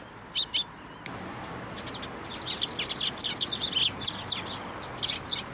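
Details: Sparrows crowd a fence post at a Tenmangu shrine to be fed, 21 April 2023: two sharp chirps, then a dense, continuous chatter of rapid high twittering notes overlapping for several seconds.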